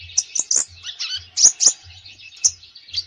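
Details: Konin bird in active full song for training a konin that seldom sings: scattered high sharp notes and short twittering phrases with uneven gaps.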